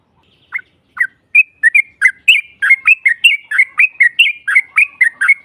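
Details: Yellow-vented bulbul on a lure track to provoke a rival: a few scattered whistles build into a regular string of loud, slurred notes, about three per second, on a silent background.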